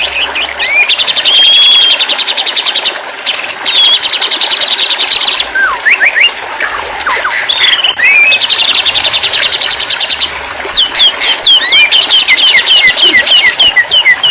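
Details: A white-rumped shama sings in therapy audio for a stressed, silent bird: a pure whistle, long buzzy trills, scattered sweeping notes, then a final run of quick descending whistles.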